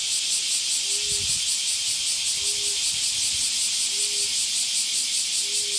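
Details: A male common emerald dove in forest on Onoyama, Miyako Island, gives soft, low, hollow hoots about every second and a half, half-buried under a loud, hissing insect chorus.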